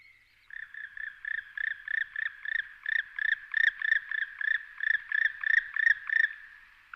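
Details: A male Black woodpecker, recorded in April 2019 in the mountains of León, Spain, gives a ringing series of about twenty loud, even 'kwee' notes, roughly three per second, growing louder as it goes, with nothing else heard.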